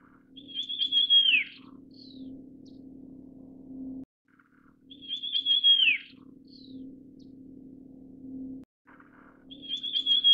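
Russet Sparrow giving a short burst of bright chirps ending in a thin, downslurred whistle, repeated about every four to five seconds over a low steady hum.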